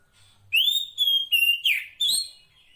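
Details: Female Oriental magpie-robin calling the male, free in the wild: four loud clear whistled notes around two to four seconds apart in quick succession, the first long and slightly rising, the last sliding downward, over a quiet background.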